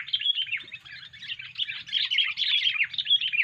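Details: Sooty-headed bulbul making a strange lure call: a dense, unbroken stream of jumbled chattering and bubbly notes, with a faint low rumble underneath.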